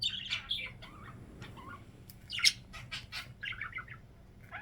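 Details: Budgerigar kept as a pet, uttering short chirps and scratchy warbled notes with a sharper squawk near the middle, then brief tweets; low background hum throughout.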